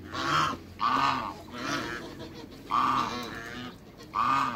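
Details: African geese, a backyard pair, calling with drawn-out nasal honks repeated about once a second, each honk strong and even, with brief pauses between.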